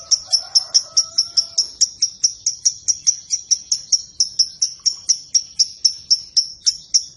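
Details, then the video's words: Long ngekek chatter from a lovebird, a string of quick, high, clipped notes repeated at an even brisk pace without pause; a faint lower whistle sounds briefly at the start. "Burung Lovebird manapun akan nyaut dan ngekek panjang setelah dengar ini"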